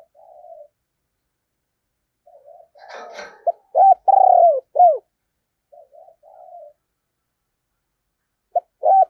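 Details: Decoy spotted dove cooing in 'thổ' style: soft low murmurs, a brief rustling noise, then loud, deep, arched coos, and murmurs again before another loud coo begins.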